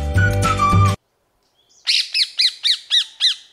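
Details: Rose-ringed parakeet in Sri Lanka giving six harsh, screechy squawks, each arching up and down, about four a second, after a brief burst of music.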